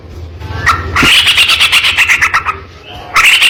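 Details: Sooty-headed bulbul singing loud, energetic, harsh-toned song used as tutor material for training other bulbuls: rapid bursts of bright buzzy chirps stacked in harmonics, pausing briefly before a fresh burst at the end; low background hum.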